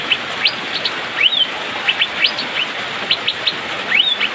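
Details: Asian fairy-bluebird singing in the rainy season, a fast dense series of short sharp upslurred whistles and chips, with occasional longer rising whistled notes, over a steady hiss.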